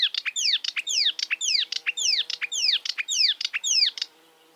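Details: Free-living marsh warbler repeating a bright phrase of sweeping downslurred whistles and sharp ticks about once a second, with a faint low steady hum underneath.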